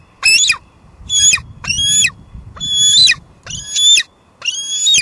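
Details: Female bald eagle squeeing on her Two Harbors nest in July 2022, live cam audio; six loud, drawn-out high squeals with falling, wavering pitch, about one a second, over a low murmur.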